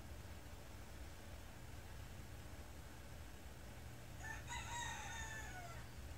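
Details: Rooster on a farm with many chickens, crowing in the morning: after a quiet stretch of low hum, one faint crow rises into a held, harmonic note and falls away at the end, lasting about a second and a half.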